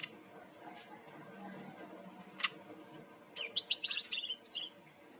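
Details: Bali brown-chested jungle flycatcher used as a song lure: quiet opening with a few thin notes and a sharp click, then a lively run of high stuttering chirps and whistles in the second half.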